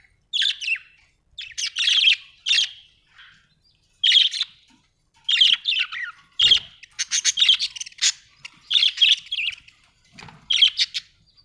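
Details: Budgerigar chattering steadily with repeated bright, buzzy chirps in quick clusters, almost continuous warbling through the second half, with a couple of soft thumps.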